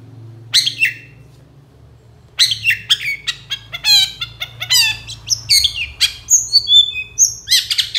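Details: Long-tailed shrike gacor master song for training songbirds: after a short opening note and a pause, a scratchy chattering run of layered harsh notes, ending with thin whistled slurs and rasping chips.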